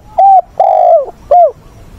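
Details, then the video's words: Decoy spotted dove, dated 20/8, used to train newly caught wild doves, cooing in the 'giọng bổi ức chế' style: three low, clear coos, a short note, a longer drawn-out note dropping at its end, then another short note. The background is quiet. "Chim cu mồi giọng bổi ức chế, bổi già dìu dắt bổi lỡ, tập bổi nhanh nổi"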